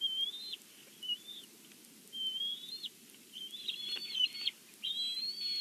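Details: Bald eagle calls from the Big Bear nest, caught on a live nest cam with an angry bird: loud, high, slightly rising whistles, then a denser run of overlapping piping chirps near the end, over quiet background noise.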